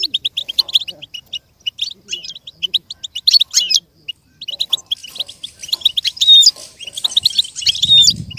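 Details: Training song from a goldfinch, meant for other goldfinches to copy: an even run of quick high chirps builds into denser twittering with bright slurred whistles toward the end, plus a brief low rumble at the close.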